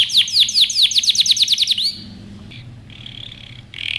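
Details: Canary training song opening with a run of loud, sweeping high notes for two seconds, followed by a quieter pause with faint, steady high tones.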